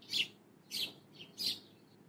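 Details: House sparrow, called chorui, played back for toddlers learning bird names: three short, bright chirps spaced about half a second to a second apart over faint background hiss.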